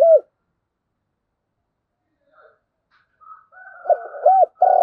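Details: Spotted dove decoy calling the flock. One short coo opens, then a long quiet stretch with faint higher sounds, and a closing run of two arched coos leading into a long burred coo.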